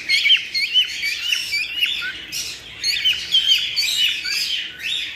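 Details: Cockatiels, played to stimulate mating and breeding; a busy stream of high chirps and short whistled notes, several overlapping, with loud bursts roughly every second and brief quieter gaps.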